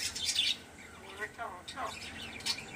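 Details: Speaking myna producing a hissy high burst followed by a run of buzzy, wavering word-like syllables that step downward, like a raspy imitation of a greeting.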